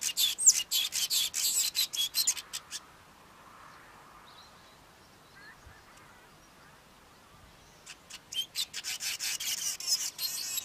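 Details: A male Cape Weaver sings in bursts: a fast string of harsh, crackling buzzy notes, several quiet seconds, then the rasping sequence resumes.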